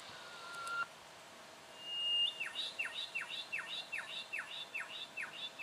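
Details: Juvenile Brown goshawk in Victoria, Australia, October 2011: one level whistle, then a rising whistle leading into a fast series of sharp downslurred notes, with faint background noise.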